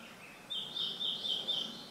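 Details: A wild red-billed leiothrix, recorded 11 November 2012, gives a loud, shrill, high, slightly trilled call lasting just over a second, steady in pitch, over faint background hiss.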